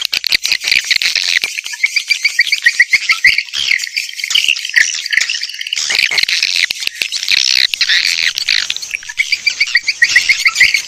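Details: Lure sound for attracting swiftlets, played through outdoor or indoor speakers: a thick mass of high, rattling chatter with rows of short, evenly spaced chirps and constant clicking.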